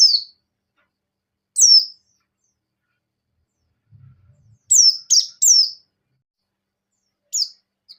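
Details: Sparse high white-eye notes from a buxtoni bird in breeding condition, ngecir sambung ngalas style: single sharply falling whistles, then a quick triplet of downslurs, and a last isolated note.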